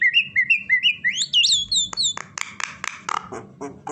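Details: Common myna imitating various sounds such as a horse, duck and chicken, and whistling: a run of short whistled notes repeated about every third of a second, then rising sweeping whistles, followed by sharp dry clicks and knocks.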